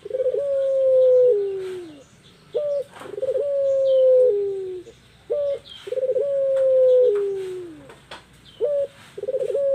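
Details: Female puter pelung dove calling to lure a male: a brief clipped note, then a long level coo that slides downward at its end, repeated in three phrases about every three seconds.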